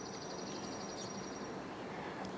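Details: A Chipping Sparrow gives a dry, high, even trill of about ten chips per second, fading after 1.5 seconds over traffic rumble, on Cornell University campus, Ithaca, New York, near a former poultry barn, evening of 3 July 2023, partly cloudy.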